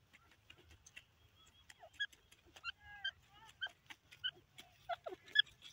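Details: Grey francolin, known locally as desi teetar, calling: short ringing chirps with clear overtones and a few downward-sliding notes, given in uneven bursts about twice a second, with sharp clicks and ticking noises throughout.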